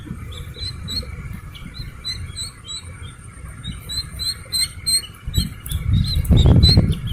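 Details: Chick of the Slaty-legged crake peeping. High chirps come in quick, fairly steady series. Near the end, louder rustling and thumping handling noise rises beneath them.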